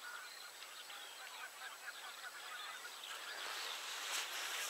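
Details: Common cranes calling together near 52.199378, 19.789440 (Poland), a dense chorus of overlapping honking, trumpeting notes; a rushing, wind-like hiss grows louder toward the end.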